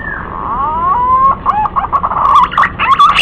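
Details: Green pigeon lure sound: a descending whistle, then gently rising whistled tones, then a chain of short, wavering, warbled notes.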